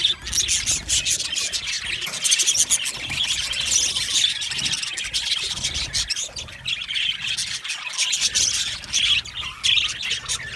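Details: Continuous happy chirping from a colony of aviary budgerigars, many birds twittering and warbling together at high pitch with no pauses.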